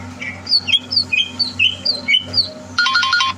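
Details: Greater green leafbird in captivity, groomed for a singing contest, 30 November 2022, giving quick liquid whistles and chirps; near the end an electronic ringtone-like jingle sounds, with a low hum underneath.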